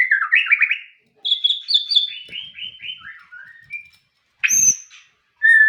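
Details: White-rumped shama singing a fast warbled trill, then a long series of descending whistled notes, a brief harsh burst and a final clear whistle after a pause.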